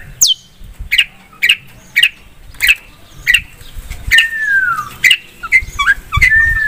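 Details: Long-tailed shrike in loud, lively song: a string of sharp, harsh notes about every half second, each dropping from high to a steady tone, later joined by long sliding whistles and quick chattering calls.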